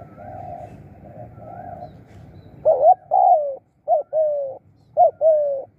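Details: Spotted dove calling while being followed, used to call in other birds: soft low cooing notes in the background, then a loud series of short hooked coos each followed by a longer drawn-out coo, with quiet low rumble underneath.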